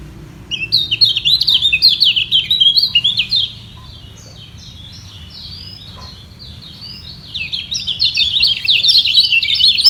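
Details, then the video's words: Kecial kuning white-eye defending its high perch in a vocal contest with birds below, both equally strong; bright, hurried twittering for three seconds, a quieter gap with softer chirps, then loud twittering resumes. "Demi Mempertahankan Posisi Kecial Kuning Ini Perang Suara Di Bawah"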